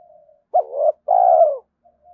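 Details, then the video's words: Cooing spotted dove for exciting and training decoy birds; one clear phrase with a short rising-falling note and then a long, smooth descending coo, with faint echoing notes before and after. "Tiếng chim cu gáy kích bổi nhanh nổi và tập mồi hiệu quả"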